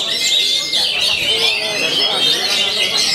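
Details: An oriental magpie-robin, described as singing nonstop daily, pours out sharp high whistles and twittering notes without pause, with long thin whistled lines over a crowded warbling texture.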